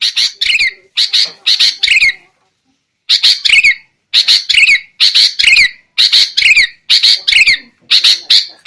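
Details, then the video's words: Sooty-headed bulbul lure recording for trapping birds, noisy calling: loud rasping notes grouped in pairs and triplets, a distinct falling slur closing many groups, one clear silent gap near the start. "SUARA PIKAT BURUNG KUTILANG"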